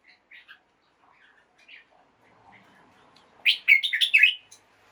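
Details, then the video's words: Caged red-whiskered bulbul singing in the morning to stimulate other caged birds: soft scattered notes at first, then a loud burst of rich, bubbly chirping phrases near the end, with faint low background noise. "กระตุ้นนก ให้คึกคัก ยามเช้า เสียงร้องเสียงริกนกกรงหัวจุก"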